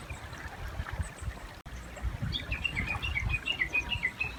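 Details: Japanese bush warbler near a river. After a quiet start with a brief dropout, a fast series of crisp repeated notes begins and runs to the end over murmuring water.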